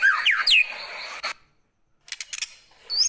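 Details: Varied White-rumped shama phrase: swooping whistled notes and a rasping buzz, a short silence, then a scatter of sharp clicks and a last upward-slurred whistle.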